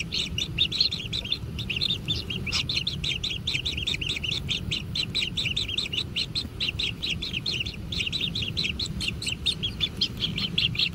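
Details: Kingfisher chicks in a natural nest, begging while being fed: a dense, unbroken stream of rapid, buzzy, high chirps repeated several times a second, over a low steady rumble.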